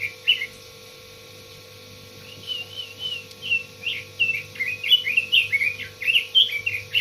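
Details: Red-billed leiothrix singing: after a short opening note and a pause, a run of quick fluty, warbled whistled notes rising and falling, growing faster and livelier toward the end, over a faint steady electrical hum.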